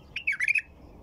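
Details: Short, fluty phrase from a white-eared bulbul: a quick lead note, then a tumbling run of about four warbled notes, loud and clear.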